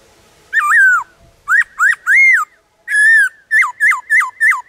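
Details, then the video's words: Varied song of a black-throated laughingthrush in the wild forest: a wavering whistled phrase, three rising upslurs, a longer level whistle, then four quick notes that rise and then drop, all clear and loud. "Khướu bạc má hót ngoài rừng Nhiều Giọng"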